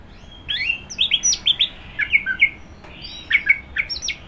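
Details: Varied, continuous warbling from an Orange-headed thrush: quick whistled notes and slurs of changing pitch tumble one after another, with brief gaps between short clusters.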